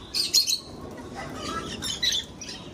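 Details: A few sharp, high chirps from lovebirds breeding in an aviary, two quick notes at the start and another pair near the end, with softer chatter between.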